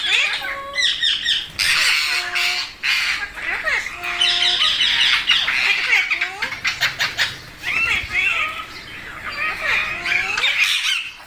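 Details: A gathered flock of Indian parrots, fed rice and milk by a person, gives dense harsh rasping squawks and chattering. The calls overlap continuously, and a woman's voice calls to the birds.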